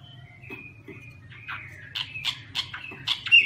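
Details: Chinese hwamei (Garrulax canorus) singing while waving its wings: a run of varied high notes, thin whistles giving way to louder clipped, slurred phrases that build toward the end, over a faint low hum.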